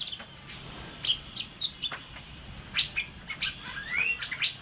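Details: Asian fairy-bluebird in energetic song intended for teaching other birds, giving scattered sharp high notes and brief twitters, then a long upslurred whistle near the end among more chips.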